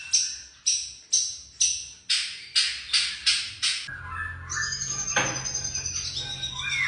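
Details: Young white-rumped shama giving a run of about nine harsh, broadband scratchy notes, evenly spaced about half a second apart. These are followed by a thin, sustained high note and a brief sharp chirp over a low hum.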